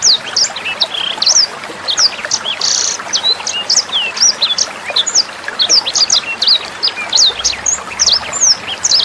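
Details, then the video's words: Tutor recording of a sanger bird for teaching captive songbirds: a dense run of sharp high-pitched chirps and flicked whistles, barely pausing, with splashing water noise running underneath throughout. "SUARA MASTERAN BURUNG SANGER NEMBAK JERNIH"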